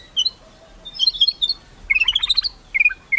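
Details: White-rumped shama in kretekan style, sung to stir rivals: scattered bright chirps leading into a quick rising cascade of tinkling notes, ending with clipped whistled calls.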